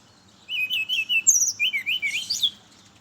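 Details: Brown-chested jungle flycatcher in the morning, its song used as a lure for other birds of its kind: rich warbling whistles that wander up and down, one high clear note midway, ending in a tumbling, twisting flourish.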